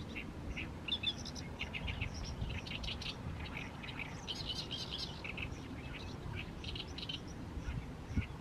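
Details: Oriental reed warbler singing in the evening sun over a fallow rice field in mid-May; harsh, chattering phrases of grating notes repeated without pause over a steady low rumble of background noise.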